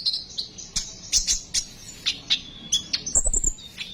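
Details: Sunbird song meant to draw in and stimulate sunbirds to sing: quick high chirps and short trills in an irregular run, ending in a fast twittering burst.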